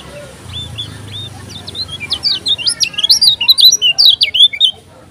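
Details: Fired-up kecial kuning, a Lombok songbird, opens with a few soft slurred whistles, then breaks into a long rapid series of loud, high, zigzagging notes lasting about two seconds before falling silent.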